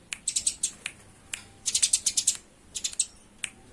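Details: Harsh, rapid chirps from fighting Eurasian tree sparrows, grouped into bursts of five to eight notes with short gaps between bursts.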